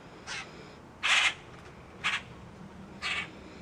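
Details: Common grackle hatchlings, about two weeks after intake at a Virginia wildlife rehabilitation centre in May, loudly give four harsh, raspy squawks, about one a second, from an outdoor aviary enclosure, with a faint background hiss.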